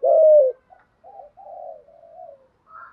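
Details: Spotted dove in the "thúc" and "gù" calling style: one loud, low, hollow coo sliding slightly downward, followed by faint, soft murmuring notes and a quiet higher note at the end.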